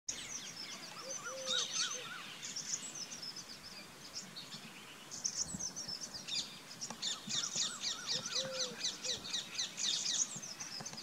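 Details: Rock bush quail at a farm house in Rajasthan, India: rapid, high, thin chirping notes, about four per second, in overlapping bursts, with a few lower, slurred whistles.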